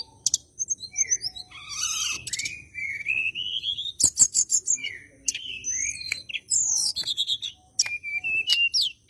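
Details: Bar-winged prinia (tledekan gunung) singing vigorously in a fighting mood, seeking a rival; used as a lure to make white-rumped shamas sing. High, rapid, varied song of sharp chirps, buzzy bursts and rising whistled notes, with scattered sharp clicks.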